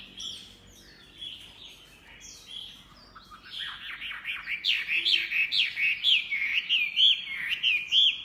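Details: Chinese hwamei singing: a quiet start, then from about four seconds loud, rich varied whistled phrases of rising and falling notes, closely repeated, with steady faint background hiss.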